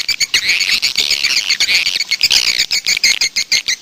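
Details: Swiftlet call recording meant to attract swiftlets: a continuous mass of high, buzzy chirps from many birds. Short twitters repeat steadily toward the end.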